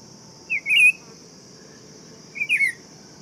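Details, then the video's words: Buff-throated saltator singing: two short slurred whistled phrases, the first a rising-then-falling warble, the second a shorter wavering whistle about two seconds later, over a steady high insect-like hiss. "Canto do Tempera Viola Saltator Maximus"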